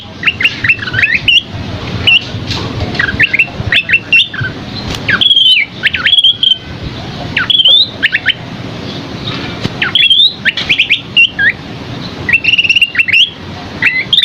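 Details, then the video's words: Scaly-crowned babbler in energetic song, a masteran recording for tutoring songbirds. Sharp whistled notes and quick up-and-down slurs come in bursts, with short pauses between phrases. A soft low hum of background noise runs underneath. "Masteran Burung Asi Topi Sisik GACOR isian MEWAH"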